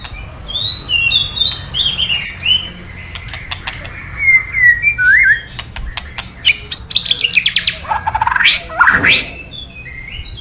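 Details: White-rumped shama male giving kretekan sounds to provoke song: soft rising and falling whistles, then a burst of rapid ticking notes and a rushing, sweeping phrase near the end.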